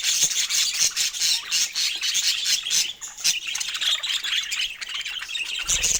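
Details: Budgerigars kept as pets chirp during their morning play with toys. A busy, continuous high warble is mixed with sharp squawks, and several birds call at once.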